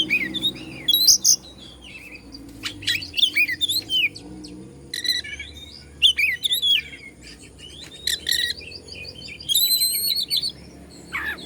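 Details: Oriental magpie-robin of the Bandung kind sings to stimulate rival birds in bursts of varied high chirps, whistled slurs and buzzy notes. The bursts are separated by short gaps and include a trilled phrase near the end.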